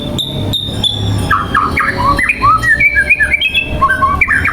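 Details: Caged 14-month-old male white-rumped shama in training sings varied clear whistled phrases, rising and falling, in quick succession, with high thin ticking notes at the start.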